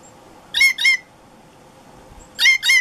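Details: Harsh alarm notes from a female blue jay, used to warn other jays of hawks or crows: a loud double squawk, a pause of nearly two seconds, then another double squawk.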